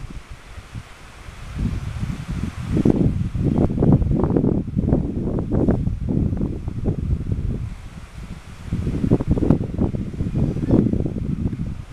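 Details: Gusty wind buffets the microphone with low rumbling and rustling, and no animal voice can be picked out.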